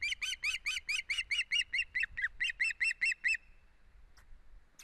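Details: Osprey at an Estonian nest, 1 September 2016, calling with odd head movements: a steady string of about fifteen loud, piping, whistled chirps, roughly four per second, each with a slight upward lilt, stopping abruptly and leaving quiet.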